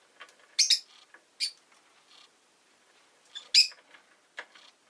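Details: Household rosy-faced lovebird, city street sounds around, sounding loud, high, rasping chirps in short clusters with soft chatter between them.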